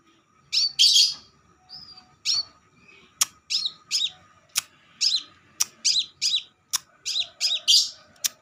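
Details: Crimson sunbird, used as a lure to attract birds: rapid bright high-pitched chirps and sharp ticking notes in quick irregular series, some bursts dense and buzzy, over a low steady hum.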